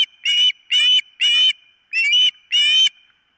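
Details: Nest-camera recording of an osprey at its nest on 4 September 2023, shortly before ten in the morning: five loud, drawn-out whistled cries, each slightly harsh, spaced roughly half a second apart, with a faint steady tone behind them.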